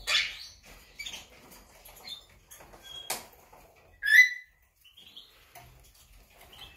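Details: Monk parakeet, 8 September 2020. Scattered soft chirps and squeaks lead up to one sharp, rasping call just after four seconds. Faint high peeps follow in the quieter remainder.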